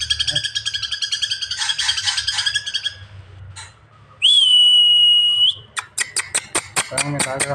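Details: Greater green leafbird singing: rapid buzzy harmonic chatter, a long steady high whistle, then a fast series of sharp clipped notes repeated several times a second, with a man's voice nearby.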